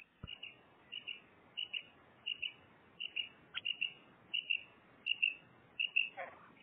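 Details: A pet female common quail gives soft, high double notes, repeated steadily about every two-thirds of a second against a faint background hiss.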